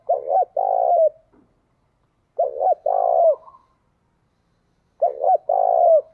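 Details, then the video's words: Spotted dove kept as a decoy, cooing in the thúc bổi style. Three matching phrases repeat about every two and a half seconds, each a brief throaty note and then a longer, burry, trembling coo that falls away at the close. "Chim Cu Mồi Thúc Bổi"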